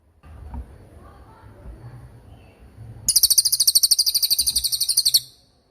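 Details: Cililin tutor song for young or moulting songbirds: after about three seconds of low background murmur, a two-second stream of rapid, shrill repeated chirps bursts in, evenly spaced and loud.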